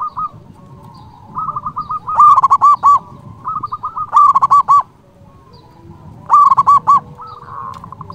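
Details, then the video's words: Strong-voiced local zebra dove calling rivals: loud rolling coo phrases recur about every two seconds, each preceded by a softer quick run of coos, with low background rumble throughout. "Perkutut lokal gacor Suara BESAR ampuh memanggil lawan BUNYI EMOSI manggung"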